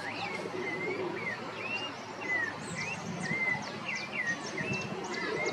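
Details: Rufous-bellied thrush singing at Parque das Águas in Cuiabá, Mato Grosso, Brazil: a series of clear whistled phrases, each a short slurred note, repeated roughly every half second, with fainter high chirps from other birds and a steady background hiss.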